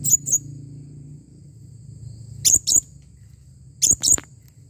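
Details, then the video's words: A calling blue-crowned hanging parrot gives very high, sharp double chirps, three pairs about every one and a half seconds, over a low steady hum. "Serindit Memanggil"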